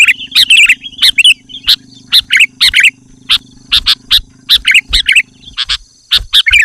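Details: Sooty-headed bulbul in full loud song, used as a lure to draw wild birds and agitate rivals; quick clusters of clear chirped and warbled notes repeat with brief gaps, over a low steady mechanical hum.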